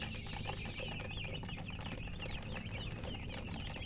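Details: Newborn chickens, just hatched, chirping loudly: many overlapping high peeps rising and falling in quick succession without pause, over a steady low hum.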